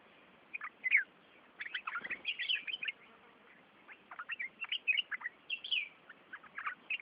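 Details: Birds chirping while bathing in a village at Devgad: dense runs of short, high chirps and tweets in quick bursts, pausing briefly between flurries, with a soft splash or rustle near the middle.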